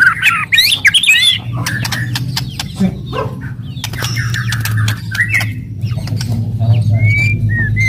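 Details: Aggressive murai batu, the white-rumped shama, in loud kretekan and tembakan style to excite rival birds: dense clicking rattles and short upswept whistles, later clear sliding whistles, with a constant low droning hum beneath.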